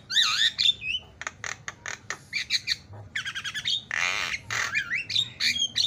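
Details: Javan myna singing in a masteran training recording: looping whistles, clipped repeated chips, a long rasping burst, and twangy slurred notes follow in quick variety.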